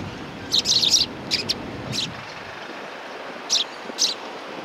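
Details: At a Tenmangu shrine, 18 September 2020, sparrows greeting a visitor: a dense burst of high chirps, then a few spaced single chirps over faint low hum.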